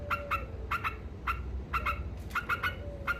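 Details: Trucuk, the yellow-vented bulbul, in 'ngekek' style meant to rouse rivals: short bursts of rasping double 'kek-kek' notes with brief pauses between, above a low rumbling background.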